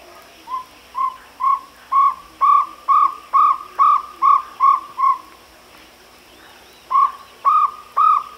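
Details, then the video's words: Jungle owlet call as a long rhythmic run of about eleven short hoots, growing louder then fading, roughly two per second, then a pause and three more emphatic notes; faint background hum. "Jungle owlet call"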